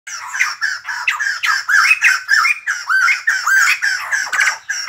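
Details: ['White-crested laughingthrush singing while dancing; loud, dense chattering chorus of harsh, rising and falling notes, bursts roughly every half second, with buzzy overtones throughout.']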